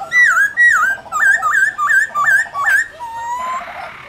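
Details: Laughingthrush 'forest voice' song: six quick, bright whistled notes, each dipping then rising, repeated roughly every half second, followed by a longer, lower, slowly rising whistle and a soft rushing hiss.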